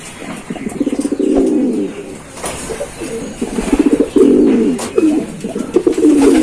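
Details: Deep, purring coos from Giribaz pigeons, pulsing throaty phrases that bubble up and tail off, about four per second at times, several callers overlapping with a soft rustle or wing sound.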